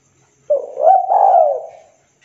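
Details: Local spotted dove calling a rival: a single soft cooing phrase, a short low note followed by a longer, smooth, slightly wavering coo that fades out, in a quiet setting.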